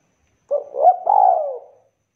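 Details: Single spotted dove phrase from a kuk call said to stir other doves into calling: a short low note, a rising coo, then a long mellow coo gliding gradually downward and fading.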